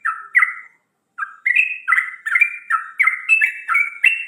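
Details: Morning birdsong: a couple of chirpy notes, a brief pause, then a rapid steady run of short buzzy chirps stepping between two pitches, repeated about three times per second.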